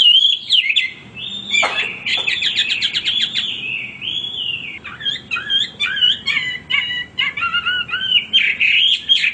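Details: Male hwamei, a cage bird, singing continuously; rich whistled phrases mixed with rapid dry rattling notes, then a string of short varied chirps and whistles.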